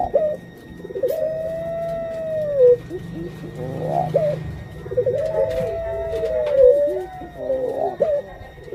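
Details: Puter pelung dove, a female about to lay eggs: two long arching coos a few seconds apart, each ending in a downward slur, with shorter clustered coo notes between them over a low hum.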